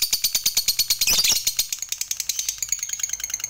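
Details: Fighter lovebird in long ngekek chatter, meant to provoke other lovebirds into singing: rapid, regular, shrill pulses about three per second, swelling into a dense burst near the middle, then resuming slightly faster.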